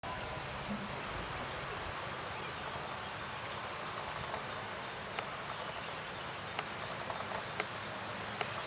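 Pale-billed flowerpecker giving very high, sharp ticking notes, several a second, over a steady high whine and soft outdoor hiss.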